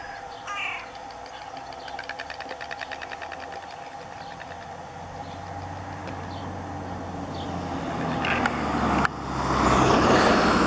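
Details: White stork bill clattering during courtship before mating, a rapid, even wooden rattle of dry knocks lasting a few seconds, over steady traffic rumble that swells into a loud noise near the end.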